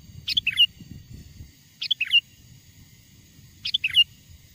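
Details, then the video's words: Sooty-headed bulbul singing, a lure call to attract wild bulbuls: three short bubbly phrases, each a sharp opening note and two liquid falling-rising whistles, spaced unevenly over faint low background noise. "SUARA PIKAT BURUNG KUTILANG GACOR, PANGGILAN KUTILANG LIAR AGAR MENDEKAT!!"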